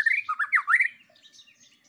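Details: Lure song of the White-rumped shama to provoke other birds: quick rich warbled notes swooping up and down, fading into soft thin whistles.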